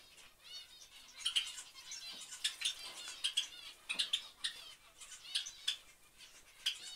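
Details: Java sparrows as a family group, giving bright, high chipping notes in quick clusters, often paired, with faint harmonic chatter and light rustling between them.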